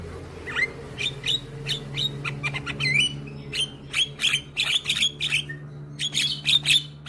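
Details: Energetic head-bobbing young Javan myna in full song, meant to coax quiet mynas into singing: steady harsh squawks and metallic whistled slides, closely spaced throughout, with a constant low drone in the background.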